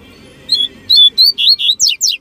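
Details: Captive male double-collared seedeater (coleiro), one of two singing together, the second answering from behind; loud phrase of high clear whistled notes, first steady, then sliding and ending in quick steep downward sweeps.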